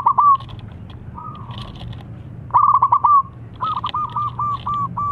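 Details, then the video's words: Local zebra dove with a big voice, used as a lure to set other doves singing: several stuttered cooing phrases near one pitch, quick clipped notes ending in a drawn-out coo, with faint clicks and a low hum behind. "Perkutut Lokal Alam Suara Besar Ampuh Buat Pancingan"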